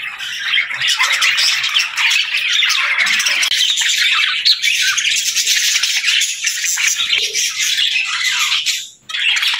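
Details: Dense twittering from a budgerigar flock, sharp chirps layered over a continuous warbling murmur, briefly fading near the end before picking up again.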